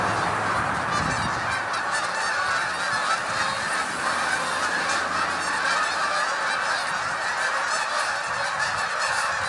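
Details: Hundreds of wild Canada geese rising into the sky, sharp honks layered thickly and steadily over a continuous background of calling birds, at an even, strong level throughout.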